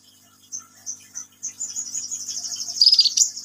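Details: Sunbird singing vigorously: scattered thin high notes build into a dense, fast, shrill twittering trill that rises in loudness.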